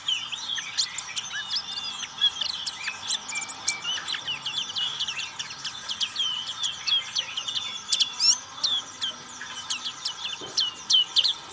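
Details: Extended ngriwik-style singing by a black-capped white-eye: a fast, unbroken torrent of shrill chips, twitters and falling whistles, steady in intensity, with faint hiss underneath.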